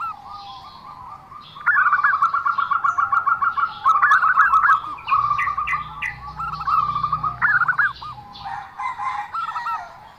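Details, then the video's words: Unusual zebra dove calling, long trains of evenly spaced, quick cooing pulses that rise and fall slightly, over faint low background noise. "perkutut suara aneh"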